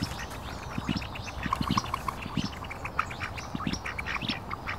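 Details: Mandarin ducks, Pekin ducks and mallards feeding by a park lake: a crowd of short nasal quacks overlapping continuously, some soft low grunting notes, over a steady background hiss.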